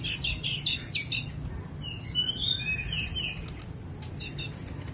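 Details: Bush lark performing a wing-fluttering display: a fast run of high chirps, then a drawn-out whistled phrase, then more quick twitters, while a low background rumble continues throughout.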